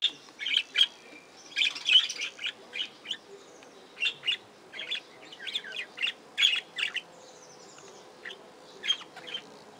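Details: Aviary budgerigars give sharp, high chirps and short warbled bursts in scattered clusters, with brief quiet gaps between the calls.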